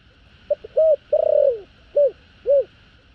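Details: Spotted dove giving a standard thổ đồng call with two final notes to lure wild doves: small stuttered notes, a sustained coo, an extended vibrating roll sinking in pitch, then a pair of arched coos; steady electrical-like hum underneath.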